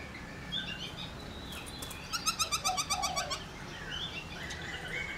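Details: Laughingthrush in fast, ringing 'réo' song used to excite other laughingthrushes into singing: a quick burst of about ten rapid, evenly spaced chattering notes mid-clip, framed by slurred whistled phrases, over soft background noise.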